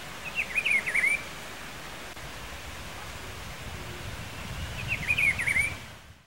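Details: A Rufous-browed Peppershrike (Cyclarhis gujanensis) in Pedro Gomes, Mato Grosso do Sul, Brazil, sings two rich, warbled whistled phrases about four seconds apart, over a steady background hiss.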